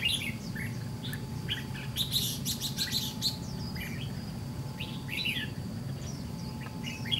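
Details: Red-whiskered bulbul, white-cheeked form, in a trap fight with a decoy: chattering bright notes mixed with several harsh broadband bursts early on, then spaced whistled phrases, all above a low droning noise.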